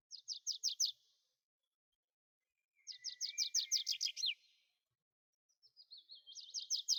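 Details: Tree pipit (Anthus trivialis) song in three bursts of fast, high, buzzy repeated notes, one with a lower dry trill underneath. Quiet pauses come between the phrases.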